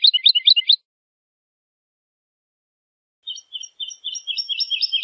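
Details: Woodlark song in two fragments: a short burst of rapid high twittering notes, a silence of about two and a half seconds, then a fresh phrase of clipped notes building into a faster, brighter series.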